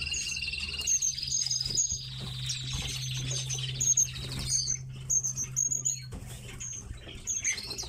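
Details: Captive tits kept at home give thin, high chirps and short whistled notes in quick, uneven runs over a steady low hum, with faint rustling and wing flutters.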